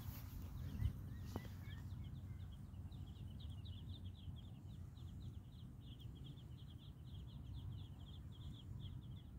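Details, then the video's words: Muscovy ducklings peep in soft, high chirps, many overlapping in a quick, steady patter, over a low background rumble. "Baby muscovy ducks"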